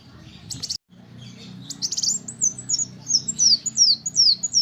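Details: Little spiderhunter in a tutor recording for cage songbirds: a few rough, scratchy bursts, then a steady series of thin, high notes that slide downward, evenly spaced about three per second, over a soft low background hum.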